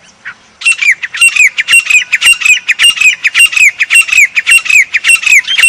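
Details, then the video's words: Grey francolin, the sangli of Pakistan, delivering its loud high-pitched call. After a soft opening note, an evenly spaced series of harsh whistled squawks follows at about two per second, steady and insistent. "Grey Partridge | سنگلی آواز | Grey Francolin | Voice | High Pitch"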